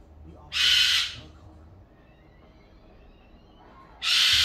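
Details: A pet Goffin's cockatoo, about 15 years old, gives two loud, harsh, rasping screeches about three seconds apart in the middle of the day, each lasting under a second, with quiet room tone between.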